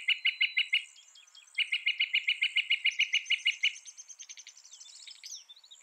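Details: Fast, evenly spaced sharp notes from a northern mockingbird in two long runs, the second of about fifteen notes, followed by softer fading chatter, with high insect hum in the background.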